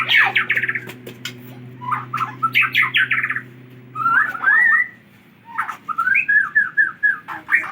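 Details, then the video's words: White-rumped shama from Aceh, recorded on 24 December 2022, delivering loud rapid chattering bursts followed by rich rising and falling whistled phrases, with a low mechanical hum at the start. "Burung Murai Batu Aceh"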